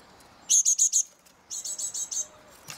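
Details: Great tits high up on an eleventh floor in The Hague's Mariahoeve, May 2023: a loud burst of four shrill high notes, then a slightly quieter run of six, ending in a faint scrape.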